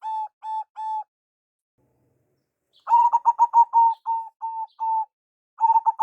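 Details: Local zebra dove, perkutut, male and female calls used to lure birds: three spaced hoots, silence, then a quick stutter of coos slowing to longer notes, and another fast burst at the end.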